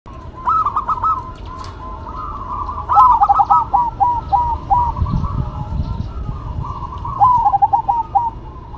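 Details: Two zebra doves, a local bird and a cemani bird, singing in duet: repeated rolling, trilled cooing phrases of quick bubbling notes that slide into softer sustained coos, overlapping and answering each other, with low rumbling background noise.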